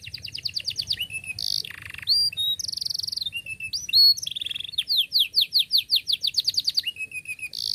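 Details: Long canary song for training young canaries: rapid repeated chirp series, buzzy rolls and bright whistled trills alternating continuously, ending in another quick chirping run.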